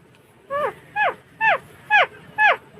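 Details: Alexandrine parakeet (Psittacula eupatria), a pet talking bird, repeats a short, rich, harmonic word five times, each falling in pitch, about every half second, over a faint background hum.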